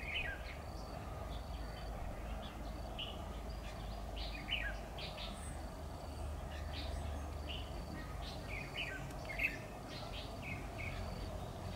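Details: Red-whiskered bulbul used as a trapping decoy, singing in competition, 10 October 2019: a long run of quick, bright chirped and warbled notes, fairly quiet against constant low background rumble and a faint high whine.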